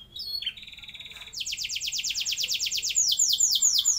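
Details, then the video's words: Canary song used as a lure for young canaries to start long rolls: brief high whistles and a held tone, then a long, quick, rhythmic trill of sweeping notes that slows toward the end. "Pancingan Ampuh Buat Kenari Paud Agar Cepat Bunyi Ngeroll Panjang"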